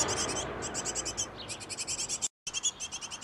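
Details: Great tit pair at their nest box feeding young: fast, buzzy, high chirps run in close trains, broken by a brief silent cut, then continue.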